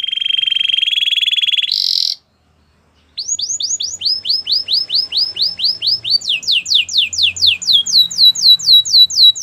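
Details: White canary song opening with a rapid steady trill and a brief higher burst, a second of silence, then quick runs of repeated downward-sweeping whistles, about four per second, shifting to higher phrases.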